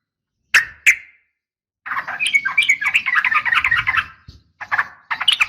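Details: Female yellow-vented bulbul calling for a male: two sharp chirps, then a dense, jumbled stretch of scratchy chattering, then a few more broken bursts.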